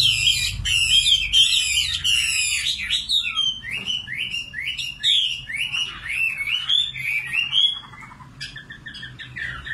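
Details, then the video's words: Common nightingale singing: fast repeated rising whistled notes and rapid trilled phrases, shifting between high clicking bursts and sliding notes, loud and close with a softer phrase near the end. "Singing nightingale. amazing bird song"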